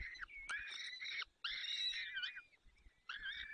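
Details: Peregrine falcons at a nest in the Barycz Valley, 30 April 2020 at 14:28, as the male arrives with prey and feeds the chicks while the female is away. Harsh, wavering harmonic calls come in three bursts separated by short pauses.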